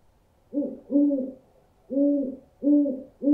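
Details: Owl sounds meant to frighten birds away: deep, soft hoots given in doubled pairs, each note rounded and slightly wavering, with another pair beginning at the end, no other sounds.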